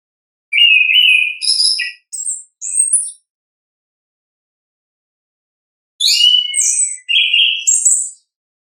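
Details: Orange-headed thrush in natural ngeplong style: two short bursts of whistled and buzzy phrases, the first near three seconds long, then a long silence before a second warbled burst.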